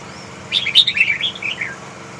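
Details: Big red-whiskered bulbul delivering one lively phrase of rapid, warbled whistles and chirps lasting just over a second, bright and varied, over faint low background hum.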